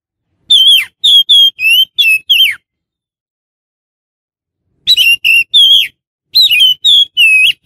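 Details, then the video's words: Oriental magpie-robin whistling as a lure for catching magpie-robins in the wild: clean, ringing notes wavering up and down, grouped in three bursts of four to five notes each, separated by silence. "SUARA PIKAT BURUNG KACER"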